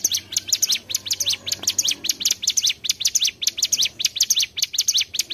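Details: Trapping lure of mountain tailorbird song: relentless high, piercing chirps delivered quickly and fairly regularly, near 100 per minute, with nothing else audible.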